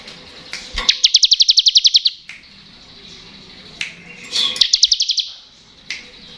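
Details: Bar-winged prinia singing in the "ngebren" style, a crystal-type bird used to prompt lazy or untrained birds to sing: two rattling trills of about a dozen rapid high notes each, set apart by sharp single chirps.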